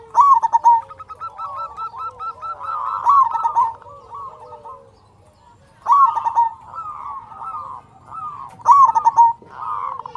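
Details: Loud-voiced local zebra dove singing vigorously, kept to draw other doves into song. Four bursts of rapid, pulsed cooing arrive about every three seconds. Softer trailing coos from other doves run in the background.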